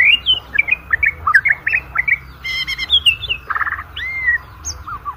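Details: Murai batu, the white-rumped shama, singing a varied competition-style song: fast run of high whistled and twittering notes, buzzy harsh bursts, then a smooth upward whistle and lower falling notes.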